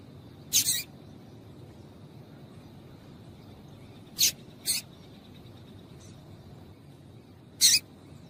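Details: Female coleiro tui tui (double-collared seedeater) call for warming up a male: four brief, high, scratchy chirps scattered over eight seconds, two close together, separated by long quiet gaps with low background hum.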